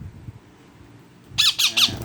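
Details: A two-month-old pet rose-ringed parakeet, calling loudly to a different-species companion bird, gives three loud, harsh, high screeches in quick succession after a quiet room-toned lead-in.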